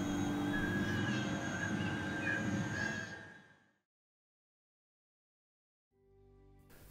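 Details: Rock doves near rice fields at Ubud, Bali, filmed during the quiet of Nyepi, make an eerie, fluting, warbling drone while flying: steady overlapping tones for about three seconds, then silence before a fainter hum returns.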